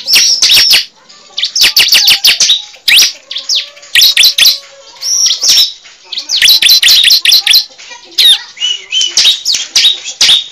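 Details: Cible used as a lure: clusters of rapid, piercing, high chirps and squeaky notes, delivered in irregular bursts with brief silences between them.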